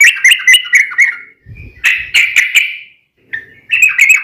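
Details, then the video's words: Sooty-headed bulbul in rapid ropel singing, used to make other bulbuls answer: a fast series of bubbly notes, a brief low rumble, a thicker slurred phrase, a pause, then a fresh chattering run. "trucukan gacor TARUNG ROPEL"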